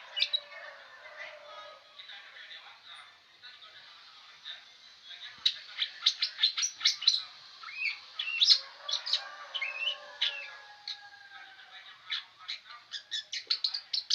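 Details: Long-tailed shrike that keeps singing: a soft start of faint scratchy notes swelling into a dense, rapid jumble of high chirps, clicks and short whistles.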